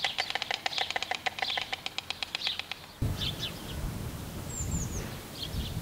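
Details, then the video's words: A courting white stork gives dry, wooden bill-clattering as a rapid, even series of clicks for about three seconds, followed by wind rumble and a few chirps from small birds. "Weißstorch bei der Balz"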